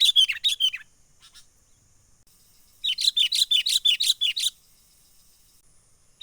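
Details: Trapping lure of a sooty-headed bulbul, energetic 'menggaruda' calling from the wild: an opening flurry of sharp, descending chirps, a long quiet gap, then a steady string of eight to nine rapid, piercing notes.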